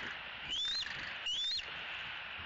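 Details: Bald eagle at a Southwest Florida nest, evening of May 3, 2018, as young E10 spends its last evening at home, via nest camera: two clear, thin whistled notes climbing upward, about a second apart, over steady background hiss.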